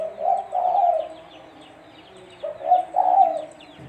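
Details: Low, soft coos from a spotted dove, played as a trapping lure. Two phrases, each a short note followed by a longer, rolling coo, separated by a pause of over a second, with light chirping behind.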